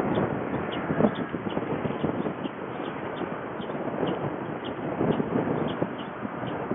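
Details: Storks from Ostrołęka, Poland, lively after a bath; a continuous run of dull, low wooden knocks, dense and slightly irregular, with constant background rushing noise.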